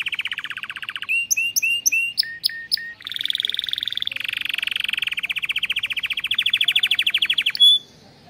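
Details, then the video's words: Canary in a breeding aviary sings a long varied phrase: quick repeated notes, chirps, then a long rapid rolling trill ending in a high whistle. "O CANTO desse CANÁRIO"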